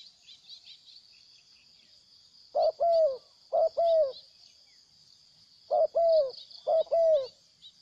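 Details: Spotted dove, a wild bird that came to fight before flying off, calling in two short bursts of paired low coos. Each pair has a quick first note and a longer falling second note, with a constant high insect hum behind.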